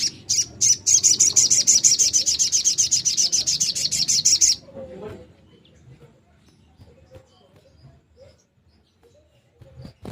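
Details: Long-tailed shrike singing to spur other shrikes that have gone quiet: a rapid, steady run of high scratchy notes lasting about four seconds, followed by near silence with faint low background rustles.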